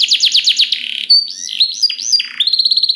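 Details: Vigorous canary song meant to prompt and train other canaries: quick falling whistles, a short buzzy trill, looping arched whistles, then a fast string of high clipped notes.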